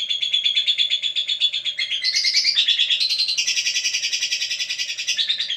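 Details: Steady, shrill chatter from a lovebird, fast pulsed chirps running without a break and rising slightly in pitch toward the end.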